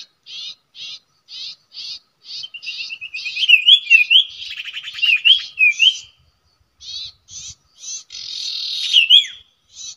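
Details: Common iora singing at its usual nesting place, a bird-trapping location: evenly spaced short chirps, then a run of quick rising whistles and trills mid-phrase, then more spaced chirps and a final whistled flourish.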